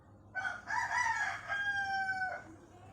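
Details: Pelung chicken crowing. The bird's voice is described as growing longer with age, with melodious cengkok turns. One full, harmonic crow of about two seconds, held steady and then tapering, over a low background hum.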